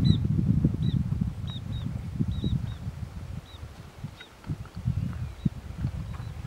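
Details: Stresemann's bushcrow in dry thorn-scrub at Dubuluk, Ethiopia, 17 Jan 2015, gives short, high, clipped notes, singly or in quick pairs, several per second, over a heavy low wind rumble.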